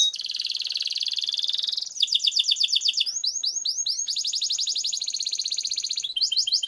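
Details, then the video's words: Canary in strong form singing a long roll, used as a training lure: fast buzzy trills in successive tours, first a dense rattle, then quicker repeated notes and rising sweeps, each section shifting pitch. "Suara Burung Kenari Gacor Ngerol Panjang Untuk Pancingan Kenari Agar Jadi Juara"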